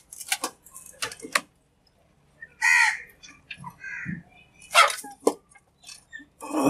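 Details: Crow giving harsh, hoarse caws in short bursts, some single and some doubled, spaced irregularly across several seconds with quiet gaps and faint low rustling between calls.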